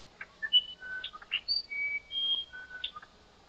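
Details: Musician wren, known in Brazil as the uirapuru, singing in the Amazon forest: a run of pure whistled notes that leap between low and high pitches, some short, some held, each note clearly separated, in a quiet background.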